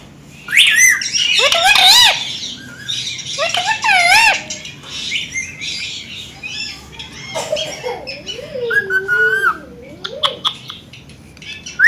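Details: Indian green ringneck parakeets, a pet family talking in a mirror indoors: loud harsh squawks and wavy whistled phrases in the first seconds, then quieter chatter and low warbling mimicked notes.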